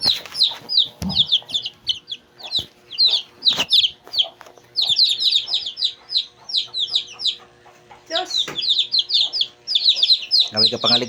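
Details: A group of Shamo chicks at two days old cheep continuously, rapid high descending notes in long runs, with occasional clicks and low knocks between them.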